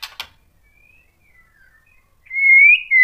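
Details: White-rumped shama song meant to provoke other shamas: two dry clicks, faint soft whistles, then a loud sustained rising and falling whistle.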